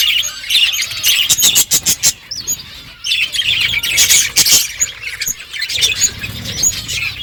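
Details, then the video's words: Budgies feeding and chirping together, a dense high warbling chatter with quick squeaks and a few rapid clicks from cracking seed. "Beautiful budgies colour eating and chirping sounds"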